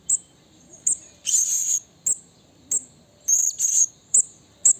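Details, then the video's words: Wild blue-crowned hanging parrot calling a rival: sharp, very high, thin chips spaced about a second apart, with several longer buzzy, rasping high bursts between them. The background is quiet. "Suara Burung Serindit Memanggil Lawan Alam Liar"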